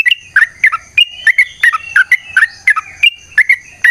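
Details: Energetic 'gacor' yellow-vented bulbul in a long 'ropel' fighting-style song, used to provoke other birds to reply: a steady run of liquid, bubbly whistles about every quarter second, some paired, with a faint constant high hum behind.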